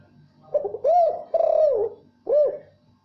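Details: Spotted dove calling to a female: a soft, low three-note coo, two drawn-out arched notes followed after a pause by a single shorter coo, in a quiet setting.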